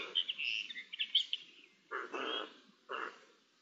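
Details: Eurasian jays in exchange on 10 May 2021: quick squeaky chatter at first, then two hoarse, rasping screech-like bursts about a second apart.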